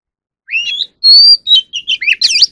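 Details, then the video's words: Caged magpie robin in song training for competitive singing: varied whistled phrases, a long clear rising-falling whistle, then a run of quick slurred notes and rolling warbles. "Chò than luyện giọng || choè than hót đấu"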